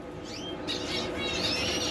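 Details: Captive Zebra Finches in a home breeding aviary give short, high chirps and a rising, slurred note, several overlapping in quick succession over a steady indoor hum.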